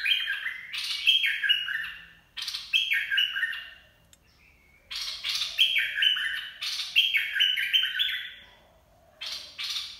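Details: Bulbul in Dok Taeng style song, meant for teaching young birds and luring: harsh rasping bursts alternate with fluty stepped whistled phrases, repeated in two main sequences separated by a short pause.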